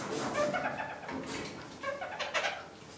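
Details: Kakariki, pet parakeets given fresh spring-pruned currant and blackberry branches, give short chattering, nasal calls in two quick bursts, with mid-pitched harmonic notes and brief higher squeaks, in a small indoor room.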